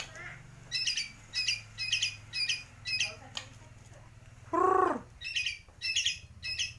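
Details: White-rumped shama of the Kalimantan 'gembung' form, known for imitating swiftlet, fighting sparrow and lovebird: sharp high chip notes repeated roughly every half second, with one louder, lower, harsh squawk in the middle and a faint low hum throughout.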